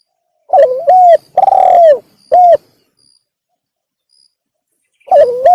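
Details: Spotted dove lure call: stuttering notes lead into a clear coo, a long rough coo and a short closing coo. A pause follows, then the next phrase begins.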